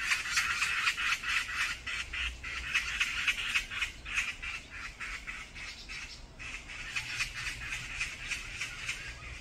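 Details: Brown-eared bulbuls fighting as a group on a mountain: dense, harsh, squawking screeches. The calls repeat rapidly, about four a second, and overlap with almost no pause. Several birds seem to call at once.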